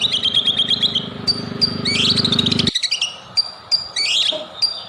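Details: A white-rumped shama's lure song for provoking singing: a high fast trill over a low buzzing background, then scattered sharp chirps and quick squeaky notes after a sudden quiet.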